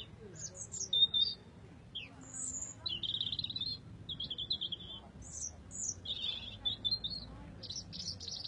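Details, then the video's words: Red robin singing a run of high, sweet, tinkling phrases, some sliding down and others buzzy and jumbled, delivered in quick bursts with short gaps over faint low rumble. "Singing robin"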